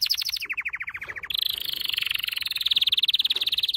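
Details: Canary singing a training song: a high rapid trill drops to a lower rolling trill, then a long, loud, even trill of quick repeated notes.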